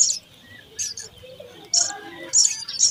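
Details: Nestling house sparrows begging as they are fed: brief bursts of thin, high chirps separated by short pauses, three clear clusters toward the end.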